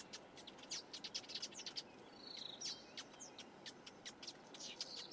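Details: At Quinta do Lago, Portugal, a black-headed weaver repairing its nest gives a run of quick, high, squeaky chirps and ticks, with a brief thin whistle midway, over soft background hiss.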